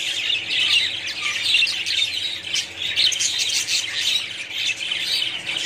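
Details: Budgerigars in a colony, many birds calling at once: a dense, continuous wash of high chirps, squeaks and warbling chatter, with no pauses and no other clear sounds.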